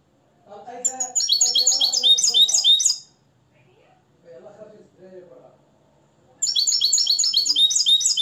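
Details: Limpio-style song from a nest-raised, hand-tutored European goldfinch in Morocco: two bursts of rapid, high metallic twitters separated by a pause with softer, lower chattering sounds.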